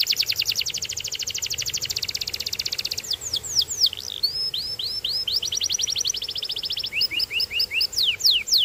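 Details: Canary delivering a long rapid trill of repeated notes, then varied sweeping whistles, short rising and falling chirps and a closing run of clear slurs.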